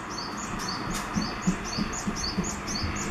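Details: Japanese tit singing actively: high, bright two-note phrases repeated rapidly, about three per second, over a soft low background hum.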